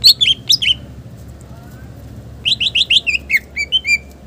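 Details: Green leafbird pouring out its mimic-rich song for tutoring: a fast trio of twangy notes, a lull, then a quick run of repeated bright chirps ending in slurred whistles.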